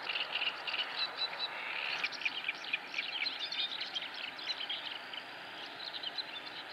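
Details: Mallard ducklings with their mother at Salaspils on 19 May 2017 keep up a dense chorus of high, thin peeps, many overlapping chirps each second, over a faint steady hum and soft outdoor background.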